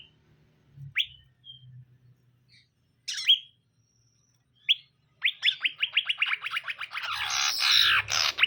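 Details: Male and female greater green leafbirds kept caged during pairing; isolated sharp rising notes give way to a fast burst of about a dozen repeated rising chirps, with a rushing noise at the end.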